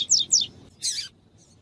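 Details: Double-collared seedeater (Sporophila caerulescens): female call played to warm up and stimulate a male to sing; two quick high chirps sliding downward, then a brief harsh buzzy burst dropping in pitch, over a quiet low hum.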